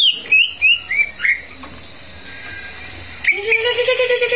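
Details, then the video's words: Greater green leafbird singing to stir up rivals: four or five quick, falling whistled phrases, a lull with a steady high hum, then a few more slurred notes over a low buzzing tone. "cak ijo gacor bikin, lawan ngamuk"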